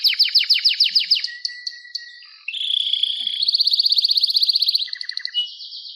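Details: Canary singing fast repeated downward-swooping notes, a short held whistle, then a long, loud, evenly pulsed trill.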